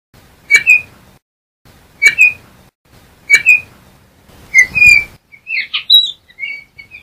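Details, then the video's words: Yellow-backed oriole giving four short whistled phrases about a second and a half apart, each a bright upslurred note with a sharp attack, followed by a quicker run of varied whistles. "Turpial Toche Canto - Yellow-backed Oriole Bird Song"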